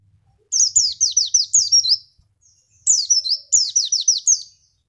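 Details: Javan white-eye song used as a lure to make other birds sing: two bursts of high, fast descending chirps in quick runs of about six notes, separated by a short pause.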